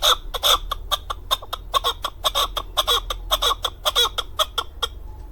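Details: Rapid series of sharp, ringing chuk notes from a male chukar partridge kept for hunting in Darvoz, Tajikistan, recorded in 2020. The notes come unevenly, about two per second, then stop abruptly near the end.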